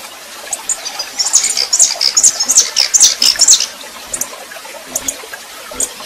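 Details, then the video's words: Female red-pileated finch singing like a male, a captive bird being warmed up: a run of high, sharp chirps and short whistled notes from about one to three and a half seconds, then scattered thin ticks, with a faint watery hiss behind. "Esquentando Tico Tico Rei FÊMEA MACHEANDO"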